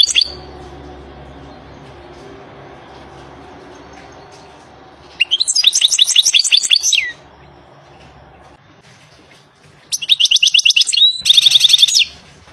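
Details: Wild European goldfinch song: a short opening note, then two fast twittering phrases of high tinkling and buzzy notes, each lasting about two seconds, with long pauses between and a low background hum.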